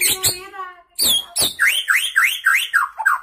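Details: Murai batu (white-rumped shama), a young bird freshly past its juvenile plumage, pours out isian phrases from a single perch: a few harsh, layered notes, then about eight quick rising-and-falling whistled notes in a steady run.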